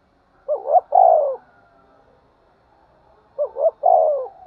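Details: Spotted dove cooing to stir up fights and call. Two repeated phrases about three seconds apart, each two short rising notes then a prolonged mellow falling coo, with a faint hum between them.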